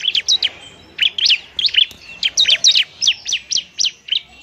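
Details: Bar-winged prinia (ciblek), a fighting bird used to lure and stimulate lazy birds to sing: rapid series of sharp high chirps and trills, notes repeated several times a second with short pauses between bursts.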